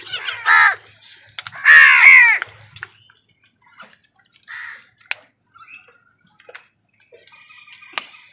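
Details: Crows fighting with wild birds for food: two harsh, rasping caws in quick succession, then a shorter softer one, with clicks, taps and faint chirps between.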